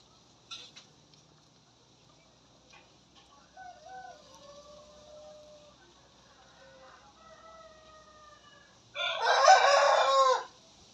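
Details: Newly crowing young rooster among cockerels squaring off in a run: a broad, hoarse crow bursts in near the end and lasts about a second and a half, after quieter thin tonal calls and faint background sounds.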